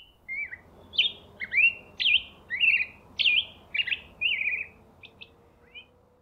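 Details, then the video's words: Male black-headed grosbeak singing in deciduous or mixed conifer-deciduous forest of the Coast Range foothills in spring: a clear, musical, robin-like song of warbled, rising and falling whistled phrases, about ten notes over six seconds. "They live in deciduous and mixed conifer deciduous forests, and the male has a lovely robin-like song that is clear and musical."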